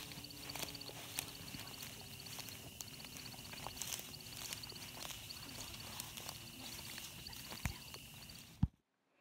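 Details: A male American Woodcock performs its courtship sky dance at dusk on a spring singing ground in Minnesota: a high, rapid twittering of the wings with thin vocal chirps pulsing about once a second over a steady hiss.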